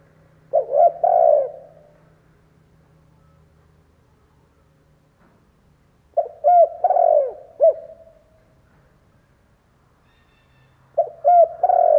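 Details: Spotted dove used as a lure bird, cooing to stimulate wild doves: three phrases roughly five seconds apart. Each has quick doubled hoots, a long mellow falling coo and a trailing short note, with a faint low hum between them.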